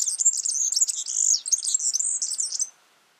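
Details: Yellow-fronted canary in the wild delivering a lively, high-pitched warbling song of quick chirps and twittering phrases for nearly three seconds, then falling silent.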